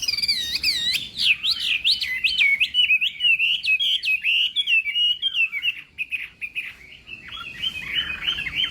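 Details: Chinese hwamei in a morning singing session for contest: high looping whistles opening into a long, rapid, wavering warble of connected notes, softer and rougher toward the end.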